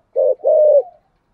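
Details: Single phrase from a spotted dove in thổ sấm voice, two ending notes: a short low coo followed by a longer, level, hollow coo that fades out.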